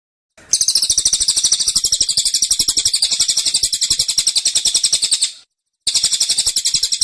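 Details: Persistent tembakan from a cililin in a cage: nearly five seconds of densely repeated high, sharp chirps at about four a second, a brief break, then the volley resumes.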